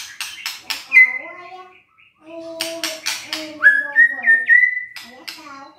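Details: White-rumped shama song meant to stir sluggish, reluctant birds into singing: rich whistled notes, some steady and harmonic-rich, others sliding upward, alternating with bursts of harsh clicking chatter and a brief silent pause.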